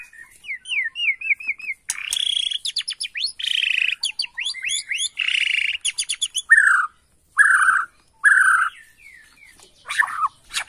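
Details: White-rumped shama from Borneo singing in response to a lure recording, answering within seconds: varied loud whistled phrases, looping slurred notes, sharp high chips and rich falling whistles, delivered in quick bursts with short gaps.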